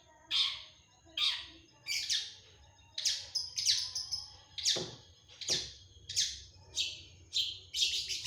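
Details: Long-tailed shrike singing energetically, full of fill-in phrases, recorded 1 February 2025: harsh, descending rasping notes about every 0.7 seconds, some with bright upper overtones, and a quiet low hum beneath.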